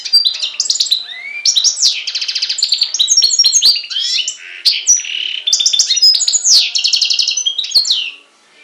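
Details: On the Greek island of Syros in July 2007, a goldfinch crossed with a canary sings a long, unbroken medley of high twitters, fast rattling trills and swooping whistles.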